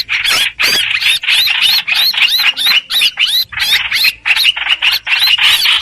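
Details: Streak-eared bulbul lure song for trapping birds, busy squeaky whistles with rising and falling slurs in tight, repeated clusters.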